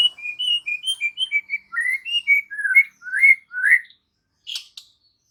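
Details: White-rumped shama in full song, a fast series of clear whistled notes that drop and rise, ending with rising slurs and a few faint clicks.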